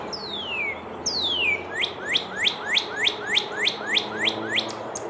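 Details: Northern Cardinal (Cardinalis cardinalis) song, more frequent in spring, central/eastern United States: two long clear whistles sliding down, then about ten short bright upswept notes, roughly four a second, like 'what cheer cheer cheer'.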